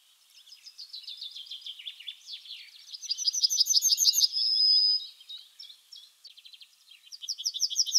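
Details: Yellowhammer song: fast rhythmic trills of high buzzy notes building to a loud steady whistle, then a fresh run of rapid chips near the end, with other faint high notes overlapping.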